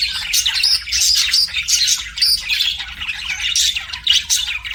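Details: Budgies kept as pets chattering continuously, a busy overlapping mix of raspy squawks and bright chirps with no clear gaps, over a soft low background rumble.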